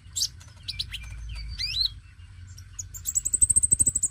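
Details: Energetic dacok oriental magpie-robin song meant to coax song from young magpie-robins: twisting whistled phrases and buzzy notes, then a fast, even series of high chirps repeated about eight times a second, over a low hum.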